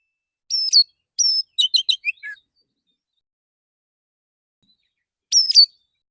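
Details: In the morning a male Oriental magpie-robin sings softly to call other magpie-robins: two high whistled notes, a fast stuttering series of chirps dropping in pitch, then a long pause and a final whistle.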